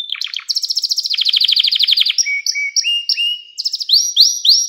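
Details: Domestic canary singing a varied song of fast rolling trills followed by repeated upward-sweeping whistled notes, bright and high-pitched, in a quiet setting.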